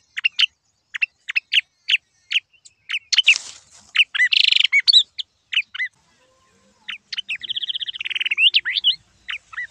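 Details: Yellow-eyed babblers in Silvassa, Dadra and Nagar Haveli, India, giving a lively series of sharp, high chirps repeated rapidly, broken by harsh buzzy rasps and a brief pause before a stuttering chatter resumes.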